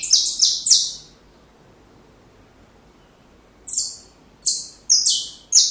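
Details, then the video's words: Saffron finch song meant for teaching young birds: two or three high, buzzy, slurred notes, then a pause of over two seconds, then another cluster of harsh descending sweeps at an uneven pace. "Canário da Terra Canto Perfeito Para filhotes"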